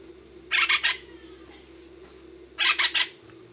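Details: Acorn woodpecker giving two harsh, raspy bursts of three quick nasal notes, about two seconds apart, over a steady low hum.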